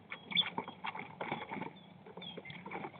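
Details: Common starlings squabbling over a nest site on a snowy 22 March: a dense, harsh chatter of rasping clicks, rattles and short squawks packed together for the whole stretch, with brief thin whistled notes mixed in.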